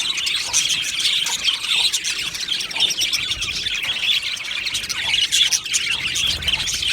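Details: Colony of Australian budgies in an aviary singing and chirping; dense, continuous high chatter and warbling from many birds at once, with constant overlapping chirps and no pauses.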